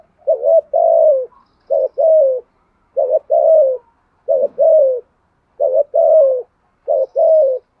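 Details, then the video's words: Lure spotted dove delivering 'gù thúc' cooing in 'giọng thổ' voice to draw wild doves. Six evenly spaced paired coos, a short note and a longer descending one, repeat in a steady rhythm in a quiet setting. "chim cu gáy mồi thúc gù bài bản kích bổi nghe là gáy liền, chim cu gáy giọng thổ bài bản gù thúc"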